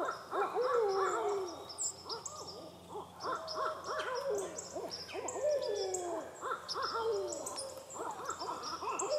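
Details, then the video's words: Barred owl calling loudly and steadily: bursts of quick, bouncing hoots, each run ending in a longer, falling hoot, repeated several times, with songbirds chirping faintly overhead. "Barred Owl Calling"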